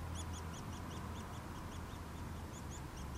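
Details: Begging Nuttall's woodpecker chicks at feeding time: a quick series of sharp, high arched chirps, several each second, over a constant low hum.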